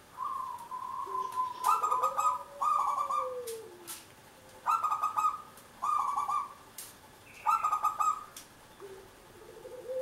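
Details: A local zebra dove sings to lure others into song. Bursts of rapid, rattling coos repeat roughly every one to two seconds, interspersed with lower, smoothly rising and falling whistled notes.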